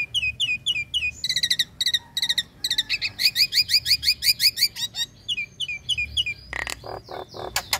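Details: {'_': 'Female Nias hill myna calling the male while in breeding condition: quick repeated high whistled notes in short bursts, then a long, fast rattle of bright metallic notes, and finally several lower, harsh pulses.'}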